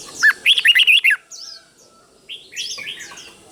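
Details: Red-whiskered bulbul teacher bird in the doubled song style used for training caged birds: a tight burst of about six bright warbled notes, then soft higher twitters after a short pause.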